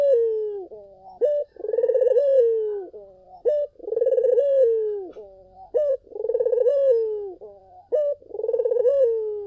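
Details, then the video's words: Repeated collared dove song intended to provoke answering doves. Each unit is a short note followed by a pulsing, throaty coo that drops in pitch. Roughly every two seconds, very regular and clear, with a faint voice in the background. "SUARA BURUNG PUTER GACOR! 100% pancingan ampuh,puter kamu pasti katut"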